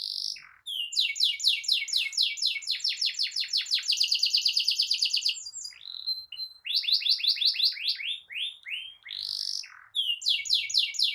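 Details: Hard-singing canary in 'ngerol' style, used to teach juveniles and spark silent canaries into song: long runs of rapid arching chirps and dense high trills, pausing briefly twice.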